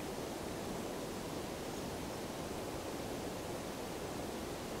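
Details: Steady broadband hiss like rushing water or surf fills the whole recording, with no bird or other animal call heard.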